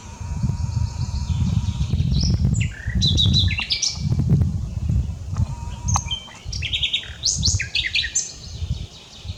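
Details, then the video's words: Unedited common nightingale singing: a long pure whistled note held steady, followed by varied jerky phrases, rapid repeated chips and trills, with a low rumbling background. "Nachtegaal - Common Nightingale singing without Edit"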